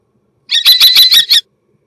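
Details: Starling in mating song gives a harsh, buzzy rattle of six rapid pulses lasting about one second.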